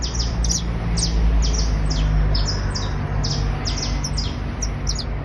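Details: Criollo basto canary trilling: high, quick downward-sliding notes about four per second, over a loud, steady low hum.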